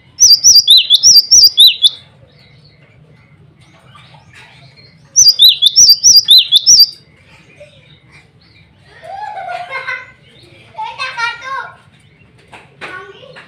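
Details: Male cinereous tit calling out to rivals and to females, giving two loud bursts of high, clear two-note whistled phrases repeated rapidly, separated by a pause; softer chirping and twittering of other birds follows.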